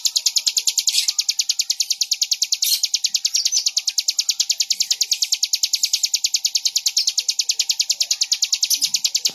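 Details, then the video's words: Long unbroken bar-winged prinia song, high ringing chirps delivered at a regular fast pace of about three per second, monotonous and sustained. "suara burung ciblek"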